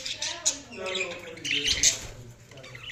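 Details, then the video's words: Budgerigars giving a busy stream of shrill chirps and short scratchy squawks that rise and fall, with a low voice-like murmur underneath throughout. "Budgies Chirping sound"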